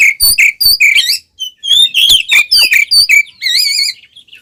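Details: Oriental magpie-robin singing in a fighting display with fanned tail, used as a lure to provoke rivals; a varied run of sweet upslurred and downslurred whistles, clear and loud, phrases closely packed.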